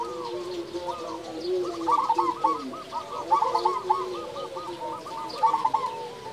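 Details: Local zebra dove singing loudly and steadily, kept as a lure to stir silent doves: a long, rapid bubbling string of soft looping coos, with lower, slower cooing from other doves underneath.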